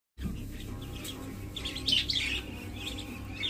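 A rose-ringed parakeet gives bright, scratchy chirps and short squawks in quick bursts, loudest midway, over a steady low hum.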